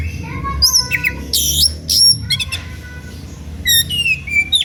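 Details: Oriental magpie-robin in an emotional song to lure listening rivals into singing; dense run of harsh bursts, clicks and sliding whistles, with fainter level whistles of other birds underneath and low background hum.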